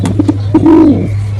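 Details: A performing male pigeon: two brief low notes, then a drawn-out rolling coo that rises slightly and sinks, lasting about half a second, with a constant low hum underneath.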